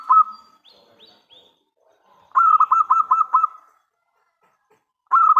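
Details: Local Zebra Dove, used as a lure to get other doves to answer; trilled cooing phrases of rapid notes ending in held tones, with faint high chirps from another bird between them.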